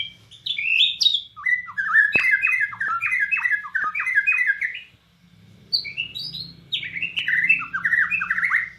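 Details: Bornean white-rumped shama singing energetically, imitating cililin phrases: fast runs of sharp, varied chattering and whistled notes from mid to high pitch in two long bursts split by a short pause near five seconds, with occasional clicks.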